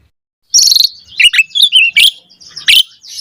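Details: Asian pied starling song used as a lure to provoke a response: after a brief silence, a jumble of high chattering, buzzy and whistled notes in short bursts, some wheezy and rasping.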